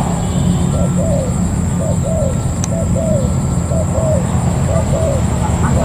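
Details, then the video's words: Spotted dove kept as a ground decoy after being caught wild, repeating a two-part soft coo about once a second, with a heavy low rumble, a continuous high tone and one sharp click. "Cu gáy mồi đất bổi 284"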